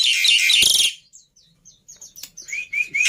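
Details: Jalak putih, or black-winged myna, in a pancingan training recording: a loud harsh rasping burst, a quiet pause with faint high ticks, then three short rising whistles.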